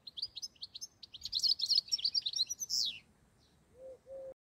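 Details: Rapid, high, liquid twittering of a European goldfinch, a run of short chirps and trills that grows denser and ends in a buzzy flourish. Two low, steady tonal notes from another caller follow after a short silence.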